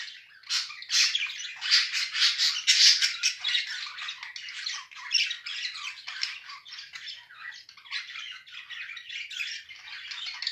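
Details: Budgerigars, a mated pair kept indoors, squawking and chirping rapidly, about two notes a second at first, fading into softer continuous chatter.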